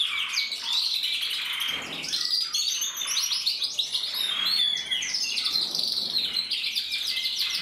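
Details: Male canary, red mosaic isabel, kept by a breeder, singing in 2024: rich, rapid high warbling with buzzy trills and clear whistled slurs flowing nonstop.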